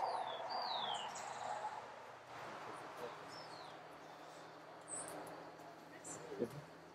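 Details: Black-capped tanager (Stilpnia heinei) at Sachatamia Lodge, Ecuador, May 2012, giving a few thin, high, sliding call notes scattered over several seconds above a steady background murmur with possible faint voices.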